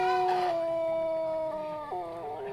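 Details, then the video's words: Pelung chicken long crow, tail section: a steady sustained harmonic tone that holds for nearly two seconds, then drops in pitch with a brief wavering finish. "Suara ayam pelung kokok panjang/kebat"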